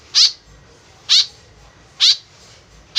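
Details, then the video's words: Harsh, nasal rasping notes of a white-breasted woodswallow, a call used as a lure, repeated steadily about once per second, four times, over low background hiss. "BURUNG KEKEP BABI GACOR SUARA JADI PIKATAN . SUARA BURUNG KEKEP MENDEKAT"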